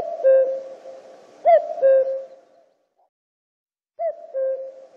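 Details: Cuculus canorus, the common cuckoo, calling cu-koo: soft hollow paired notes, the first short and higher, the second held and lower. Two calls come in close succession, then silence, then a third.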